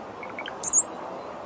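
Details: Brown-headed cowbird (Molothrus ater) giving a few soft, low gurgling notes followed by a very high, thin whistle that slurs slightly downward, with quiet background hiss.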